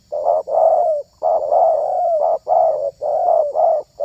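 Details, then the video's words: Spotted dove (terkukur) used as a lure bird to attract wild doves; mellow low cooing in a rhythmic run of about seven notes, short coos alternating with longer slightly wavering ones, steady and loud with a faint high hum behind. "SUARA TERKUKUR INI SANGAT ISTIMEWA"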